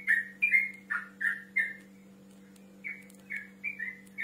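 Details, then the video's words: Male yellow-vented bulbul calling to a rival, giving short whistled notes that bend and slur, delivered in two quick bursts separated by a brief pause, over a faint constant electrical hum. "TRUCUK GACOR NGEROL MEMANGGIL LAWAN"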